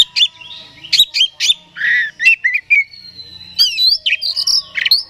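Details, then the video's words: Song of an oriental magpie-robin (kacer), played to stir another bird's aggression; rich whistles, harsh buzzy notes and quick chirps follow one another, with a sustained thin whistle near the end. "Suara Pancingan Kacer Agar Cepat Emosi Gacor ! Pancingan Paling Ampuh Buat Menaikan Emosi Kacer"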